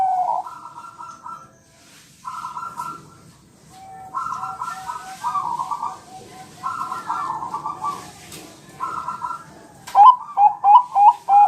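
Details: Bangkok-type zebra dove, a champion bird, singing a training song to make others answer: regular trilled coo bursts every two seconds or so, ending with quick clear whistled notes.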